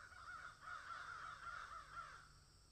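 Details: Several crows in a field cawing together, the harsh nasal calls overlapping in a continuous rough chorus with no clear gaps, over faint low background hum.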